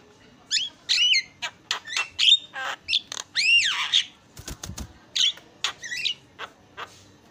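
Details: Javan myna, lively chattering song made to call back and forth, used as a training recording for songbirds: a varied mix of harsh squawks, buzzy bursts and clear whistled slurs, with brief clicks midway.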